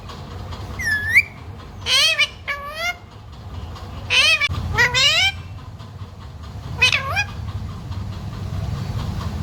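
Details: Talking parrot, said to say mummy, papa and sita ram, delivers several clustered, strongly harmonic word-like utterances, some sliding upward, in bursts across the first seven seconds over a low rumbling background.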